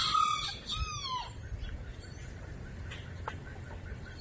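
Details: Rooster crowing: a loud, harsh crow with stacked harmonics over the first second and a quarter, ending in a falling tail, followed by quiet outdoor background with faint clicks.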